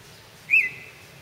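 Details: In spring in a holler, where several yellow-breasted chats were chasing each other (territorial or mating behaviour), a chat gives one clear, high whistled note that rises briefly, then holds for about half a second over a faint low hum.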